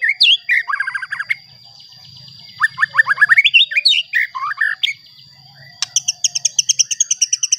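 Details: White-rumped shama song for provoking other shamas: varied whistles and fast falling note runs, then a long steady series of rapid repeated chattering notes, over a constant high tone.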